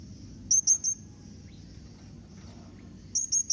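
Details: Hanging parrot, blue-crowned, calling so that other birds respond: two quick groups of three thin, piercing high whistles, with a quiet gap between them.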